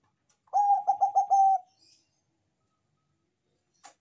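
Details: Bangkok-type zebra dove singing loudly, used as a lure to make other doves sing: one quick phrase of about five rolling, mellow coos at even pitch, ending in a held note, then quiet.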